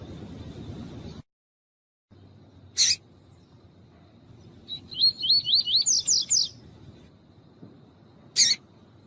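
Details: Female Double-collared seedeater of the tuí-tuí fibra line calling to warm up a cold male: a run of about eight quick, high, sweeping chirps rising in pitch toward the end, with sharp broadband clicks before and after.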